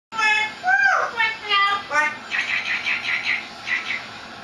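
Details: A yellow-naped Amazon parrot sings a copied Dirty Dancing tune in a voice-like tone, with sliding notes, then a quick run of repeated syllables, about two each second.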